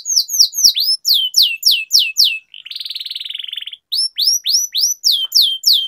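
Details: Training song of a canary with a long roll: repeated downward-slurred whistled notes, a buzzy rolling trill in the middle, then more descending whistles, each about a third of a second apart.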